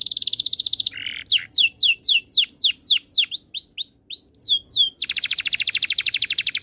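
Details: Singing canary delivering a rapid rattling trill, a short lower buzz, then a series of sharp descending whistled sweeps repeated about four per second, closing with another long dense trill.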